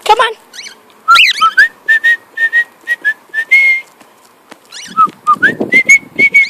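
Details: Male pet cockatiel singing in flight: a string of short, level whistled notes with a few upswept slurs, several notes a second, and brief human voice at the start and midway.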